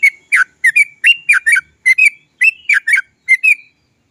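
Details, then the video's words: Yellow-vented bulbul (trucuk) song used as a lure to get other trucuk birds singing: short bright phrases of two or three chirped, slurred notes, repeated roughly twice a second. "TRUCUK GACOR ROPEL PANJANG... suara cok cok cok ngerol PANCINGAN burung trucukan agar cepat bunyi"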